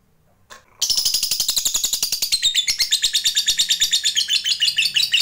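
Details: Fighter lovebird giving long ngekek chatter: after a short lead note, a continuous rapid, harsh, rattling run of repeated buzzy notes lasts about four and a half seconds without a break.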